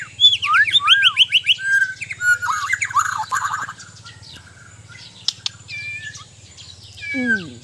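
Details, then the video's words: Kept Borneo-type white-rumped shama in training delivers fast, varied song: rapid looping whistled trills, squawky buzzy notes, then a sweeping downward slur, with a constant low hum in the background. "Indahnya suara dan gaya burung murai batu"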